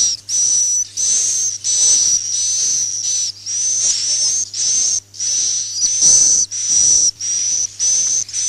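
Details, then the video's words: Roosting swiftlets' call for drawing birds into nest houses: continuous run of high, hissy buzzing notes with a thin whistle inside, roughly one and a half per second, evenly broken by brief gaps, over low hum. "suara inap burung walet"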